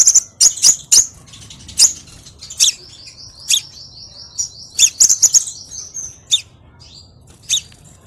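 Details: Sunbird producing loud, sharp high chirps spaced irregularly, with a thin, slightly wavering high trill lasting about three seconds in the middle, then a few more isolated chips.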